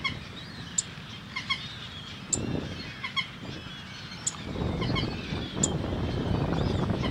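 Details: White-cheeked pintail (Anas bahamensis) in Peru giving short, sharp nasal notes at irregular intervals, a few seconds apart, over a low rumble of wind and background noise.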